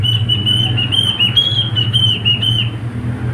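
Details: Pet male cockatiel singing a continuous wavering high whistle for about three seconds, gently rising and falling, over a low steady household hum.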